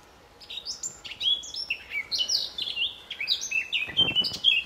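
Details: Male blackcap at RSPB Fowlmere in May, singing from the same set of trees it has held for months; varied warbles building to bright flutey whistles, with a brief rustle near the end.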